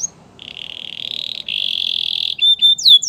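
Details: Canary song for training other canaries: a sustained buzzy trill near mid-high pitch lasting about two seconds, then brief sharp whistled notes and quick rising sweeps.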